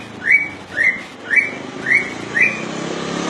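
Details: Five evenly spaced upslurred whistles from a common iora, about two per second, over a steady low hum that grows louder toward the end.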